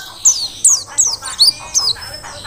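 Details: Mountain white-eye, Merapi forest type, singing hard as tutor song for training other birds: several loud, bright, high chips falling steeply in pitch, spaced roughly every third of a second.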